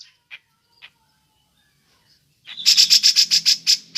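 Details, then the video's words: Grey-cheeked bulbul giving its ngepik call, used as a lure for other birds: a quiet start with two faint chips, then a loud burst of about nine rapid harsh, high notes in the last second and a half. "Burung cucak jenggot ngepik cocok untuk pancingan"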